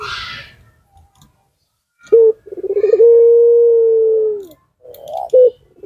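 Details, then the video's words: Puter pelung dove, used as a caller to set other doves answering. A short sharp note leads into a rapid stuttering roll that opens into one very long, level low coo, then a brief final clipped note. "puter pelung pemancing yang ulung dijamin ikut nyaut peung yg lain"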